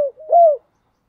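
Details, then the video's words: Short mellow coo of a spotted dove decoy bird at morning, a soft lead-in note swelling into one smooth, slightly falling hoot. "Chim cu gáy thúc gáy gọi buổi sáng/ tiếng chim cu gáy mồi gáy gọi"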